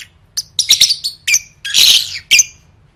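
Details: Lovebird song used as training for singing contests: a few scratchy chirps, then a long noisy rasping burst and one final squeaky note.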